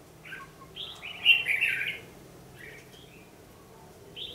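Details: Red-whiskered bulbul fighting song during lure trapping, 14 December 2015: a few short bright whistled phrases, with one louder rich warbled burst in the middle, then quiet faint notes, over low background hum.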